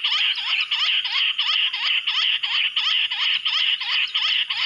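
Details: Wild bush quail attracted by a mobile phone in jungle: a rhythmic, even string of shrill, squeaky notes that dip and rise, about three each second, continuing without pause.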